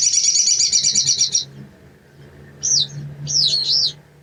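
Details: Young raw sogon, a hill blue flycatcher, singing: a rapid warbled trill of high, thin notes for about a second and a half, a pause, then two sharp slurred whistles sweeping up and down.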